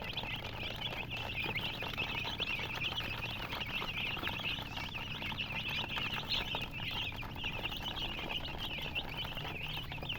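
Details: Domestic chicks dyed bright colours chirp continuously for ten seconds, a thick wash of shrill, wavering peeps with soft rustling underneath.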